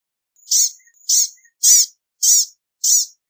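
Blue-gray Gnatcatcher giving five thin, high, buzzy notes, evenly spaced about every 0.6 seconds, with faint soft chips between them.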